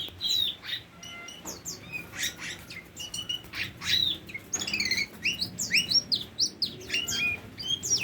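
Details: Tame Oriental magpie-robin mixing sharp clicks and harsh bursts with sweet slurred whistles, the later part turning into a fast, rhythmic series of high chirped phrases.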